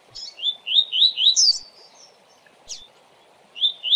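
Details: Coleiro (double-collared seedeater) singing a fast 'tui tui' style song used for tutoring birds: a quick run of clear, chirpy whistled notes climbing to a sharper high note, a pause, one lone note, then the phrase restarting, over a faint steady hum.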